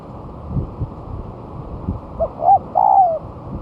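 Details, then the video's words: Spotted dove used as a lure, singing actively on the ground one month after moulting: two brief coos followed by a longer falling coo, a three-part phrase against faint low background rumble. "Pancingan Suara Tekukur"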